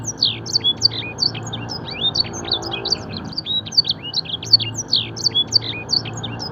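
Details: Canary training song in the blackthroat and edel sanger style, a continuous stream of quick high chirps, upslurred and downslurred whistles, with a low steady hum in the background throughout.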